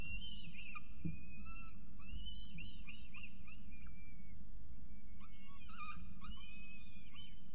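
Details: Nest of Peregrine falcons in Orange, NSW, 24 October 2022, as food arrives and feeding begins; a busy series of quick rising and falling whistled notes and chips over background hum.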